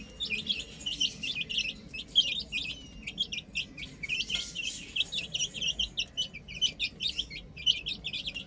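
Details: Chicks at play on a roof peep in short shrill notes, grouped in quick runs separated by small gaps.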